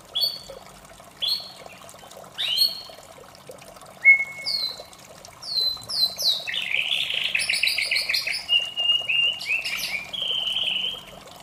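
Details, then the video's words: In the morning a white-rumped shama sings varied phrases: short buzzy notes, a long level whistle, rising sweeps, then a rapid rattling trill and sustained whistles, with faint water trickling behind. "suara merdu murai batu di pagi hari"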